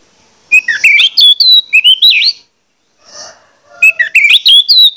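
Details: Orange-headed thrush singing a lure song meant to rouse other males into singing: two bursts of varied, rapidly slurred whistled notes rising and falling, separated by a short pause with a faint hiss.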